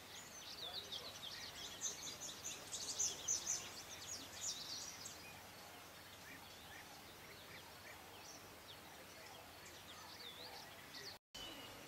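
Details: Arrow-marked babblers in Kibuye, Rwanda, March 2013, give a burst of harsh, chattering calls for the first five seconds, then only a steady background hiss remains.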